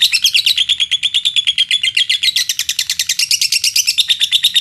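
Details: Lovebird singing a pancingan song in Indonesia to provoke other lovebirds: an unbroken, rapid series of high buzzy chattering notes, loud and steady throughout.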